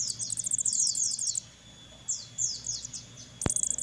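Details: Crested jay chicks, captive, begging while being hand-fed: rapid series of high, thin, downslurred chirps in bursts, a pause, then more chirp runs, ending with a sharp click.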